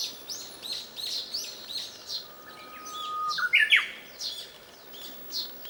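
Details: Japanese bush warbler singing unseen, hidden in the shade of mulberry leaves: a long, steady, low whistle that jumps into a quick rising and falling flourish, while other small birds chirp high in the background.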